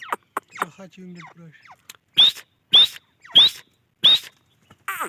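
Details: Grey francolin calling: after a few soft scattered notes, four loud harsh calls each ending in a sharp rising squeal, spaced about two-thirds of a second apart.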